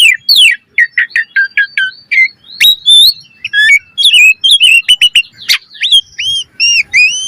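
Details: Energetic Asian pied starling song used as a training lure: rapid falling whistled chirps in a string, sharp upward flicks, dense chattering phrases, and repeated arched whistles near the end.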